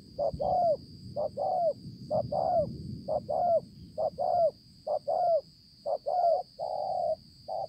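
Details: Konlong, 5 September 2020: a wild-caught spotted dove ('bổi') with a beautiful spotted neck coos steadily. Paired low notes, short then longer and falling, repeat about every second, ending in a flat sustained coo. Faint rustle and a constant high whine sit underneath.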